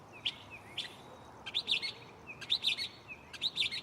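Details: Nocturnal mockingbird singing from a nearby tree: a short sliding whistle followed by a sharp note, then repeated three-part scratchy chirp phrases about once a second.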